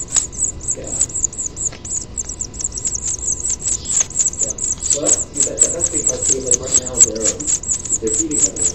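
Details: House finch nestlings, grown big, calling during feeding at a nest, recorded 6/6/07, give a rapid, continuous stream of thin, very high cheeps, several each second, while a man talks softly indoors in the background.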